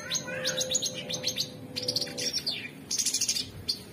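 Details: An Orange-bellied Leafbird (cucak cungkok) delivers rapid strings of high ticking chirps and short twittering phrases, with a steady low hum underneath.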